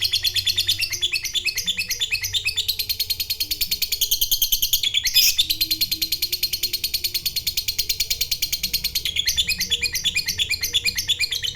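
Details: Caged fighter lovebird giving its long ngekek trill, meant to provoke a rival into calling. The sound is a steady, fast, high-pitched chatter of rapid repeated notes lasting throughout, over a low background hum and faint lower tones.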